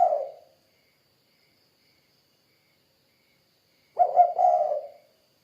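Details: Spotted dove's low, rolling two-part coo heard once clearly after a long silence, with the tail of an earlier coo at the start.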